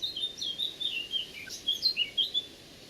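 Eurasian Blackcap singing a sweet, varied warble of clear fluty notes, about a dozen quick phrases with little scratchiness, almost blackbird-like.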